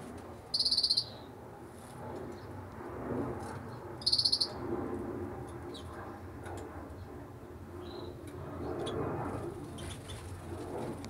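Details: A white-winged (two-barred) crossbill (Loxia leucoptera) that is incubating gives two short, high, rapid buzzy chatters about three and a half seconds apart, over a steady low rustle of wind.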